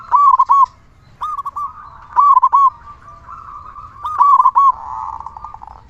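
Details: Steady, loud-voiced local zebra dove song used to lure and excite other zebra doves. Three crisp phrases of rapid, bouncing coos arrive about every two seconds, with a gentler coo sequence in between.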